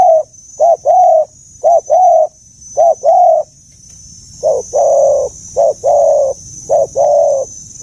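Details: Spotted dove with a deep, mature forest-style voice, calling in soft two-part coos, a short note followed at once by a longer, fuller one, repeated about every second with steady rhythm, and a faint high hum throughout.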